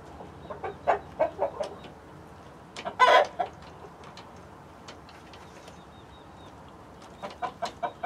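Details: Backyard chicken flock of mixed-breed hens, including Light Brahma, Barred Plymouth Rock and White Leghorn, with a Rhode Island Red rooster: quick runs of short clucks, one loud harsh squawk in the middle, then more clucking.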